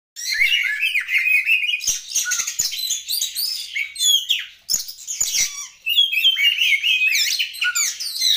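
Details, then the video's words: Oriental magpie-robin giving a dense, energetic song of fast twittering, trills and slurred whistles, almost continuous with brief breaks, with a few sharp clicks and knocks. "burung kacer"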